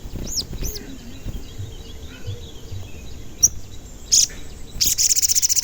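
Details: Crimson sunbird (sogon) recorded as a lure to make other sogon sing: two arching whistled notes, a lone sharp chirp, a brief shrill burst, then a quickening high pulsed trill to the end.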